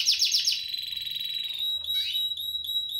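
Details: Spanish Timbrado canary, 2017 bird, opens with a few quick falling notes, then sustains a smooth bell-like trill at one pitch, broken by a brief upward sweep.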